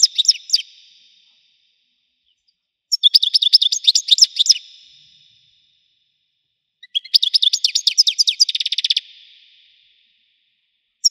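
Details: European goldfinch singing in the Widani style: three separate bursts of rapid, liquid twittering and tinkling notes, each about one to two seconds long, with silence between them.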